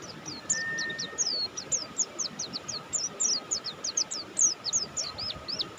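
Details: High, rapid downslurred notes from a prolifically singing buxtoni mountain white-eye, repeated in a steady stream. A brief, even mid-pitched tone sounds early on, and a faint hum runs throughout.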